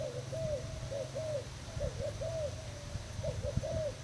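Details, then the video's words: Thailand-type spotted dove kept as a decoy bird, recorded 18 June 2018: soft, hollow cooing phrases of three to four notes repeated steadily, over a steady low hum and faint thumps. "Cu gáy thailand mồi trần dây"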